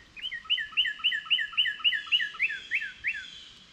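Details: Northern cardinals chirping while they wait for seeds to fall from a feeder as a squirrel eats its breakfast. A rapid run of about a dozen bright, downslurred whistled notes comes roughly four per second, loud and clear above a quiet background.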